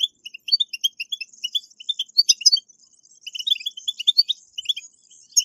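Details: Betbetat song of the European goldfinch for stimulating caged goldfinches: continuous sweet twittering, clipped high chirps mixed with buzzy tinkling trills, in two lively phrases with a brief dip between.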